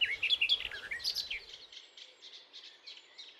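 Garden Warbler song: a rapid, bubbling run of warbled notes shuttling up and down in pitch with no clear melody, fading after the first second and a half.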